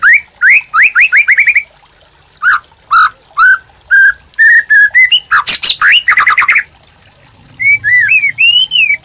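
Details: White-rumped shama singing vigorously, a master recording for training caged birds: fast series of rising whistles, staccato chips and rattles, then softer, warbled, wavering whistles.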